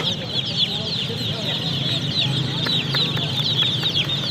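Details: A flock of baby chickens peeping continuously: dense, high, thin cheeps overlapping without pause, with a steady low background rumble.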